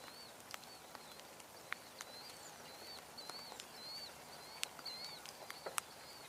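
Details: Killdeer, at least two, fairly close but unseen, give thin, high, slightly rising call notes, repeated irregularly over a faint background hiss and occasional sharp clicks; recorded on a tour on 3/19/2022 near a Northern Shoveler.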